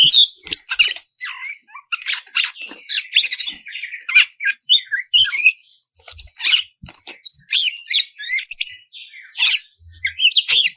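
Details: Magpie-robin lure song in the ngeplong style, aimed at getting raw birds to sing back; dense, high, jumbled chattering with buzzy and squeaky notes and occasional clear whistles, nearly continuous throughout.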